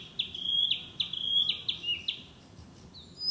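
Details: Narcissus Flycatcher, a breeding summer visitor, sings in woodland: a rhythmic series of clear whistled notes repeated about every half second, ending with a higher thin note.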